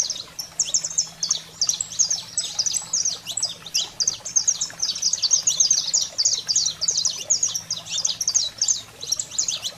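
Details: A saffron finch pours out a long, intense 'wild fire' song used to fire up pet birds: nearly continuous streams of shrill chirps and buzzy downslurs, densest mid-way, over a quiet electrical hum.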